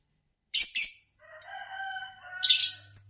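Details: Green Fischer's lovebird chirping. Shrill, scratchy chirps open and close the passage, with a softer, tonal, wavering warble between them. A faint low hum runs underneath.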